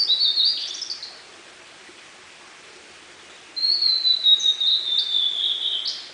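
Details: Blue-and-white flycatcher singing in a dark forest near Munakata, Japan, May 2013: a clear high whistled phrase with slurred, descending notes opening the clip, then silence, then a longer warbled phrase ending in a rising flourish.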